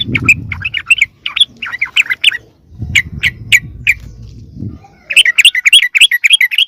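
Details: Sooty-headed bulbul lure sound for calling wild birds in: squawky, scratchy chirps in bursts, a few isolated sharp notes over low rumbling background, ending in a fast rattling chatter.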